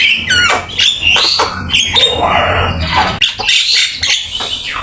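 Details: Vigorous Javan myna singing, intended as master song for training: a sharp rising whistle, then rough chattering, buzzy notes and squeaky fragments.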